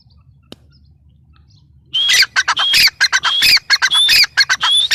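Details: Grey francolin (teetar) starting after two seconds of quiet, then pouring out shrill, harsh calls with piercing whistled notes in quick, uneven succession.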